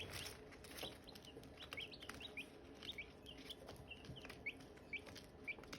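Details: Hatching Silkie chicken eggs and chicks chirp in quick, bright, upward-sliding peeps, repeated about twice a second, over a low rumbling background.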